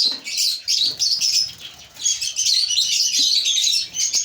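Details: A breeding colony of African lovebirds fills the air with near-continuous shrill, high chirps and squeaky chatter, many overlapping voices with only a short lull midway.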